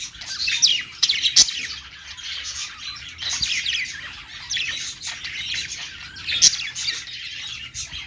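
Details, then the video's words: Pet budgerigars warbling from a perch in rapid, buzzy phrases laced with high squeaks, separated by short lulls, with a few sharp clicks. "budgies singing on perch"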